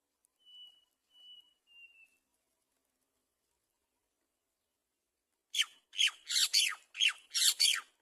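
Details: Great myna (Acridotheres grandis) at its nest feeding young: three thin, faint level whistles, then a loud run of six harsh, grating squawks in quick succession.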